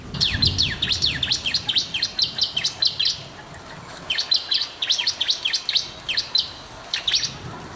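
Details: Bar-winged prinia in energetic song, used as a master recording to prompt silent or lazy birds to sing; rapid series of sharp, high chirping notes, each sweeping down, in two bursts separated by a short pause, faint low rumble beneath.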